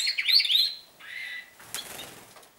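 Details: Canaries beginning their seasonal singing: a quick burst of high warbled notes, then a short steady buzzy trill, followed by a sharp click and faint rustling.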